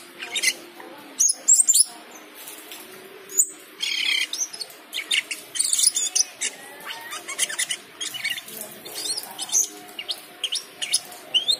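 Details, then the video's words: Cucak keling singing during the call to prayer: scattered high chirps, clicks and brief whistles in uneven bursts, with the chanted prayer call faint in the background. "Cucak keling teler gacor full isian saat mendengar adzan."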